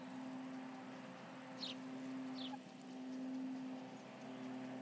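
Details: At the Charlo osprey nest, 11:30 am MDT on July 29, 2019, with intruders about: just two brief, shrill, falling whistles in the first half, then steady humming noise and faint hiss.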